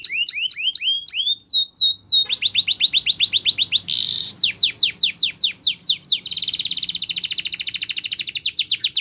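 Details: Training song of a Spanish Timbrado canary, loud and bright: quick repeated upswept notes, a burry rattling phrase, then rapid chopped whistles and a long fast metallic trill.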